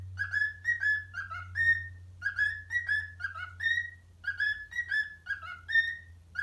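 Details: Parrot whistling to parrot friends, Addams Family remix: melodic runs of clear whistled notes in groups of four, each group ending on a longer held tone, steady low electrical hum throughout.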